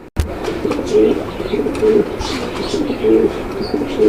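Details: Male domestic pigeon calling repeatedly, from a breeding pair whose female has laid one egg and is due another, at a farm in Kaliakair, Gazipur, Bangladesh, May 2025; low rolling coos recur about every second after an opening thump, with faint voices.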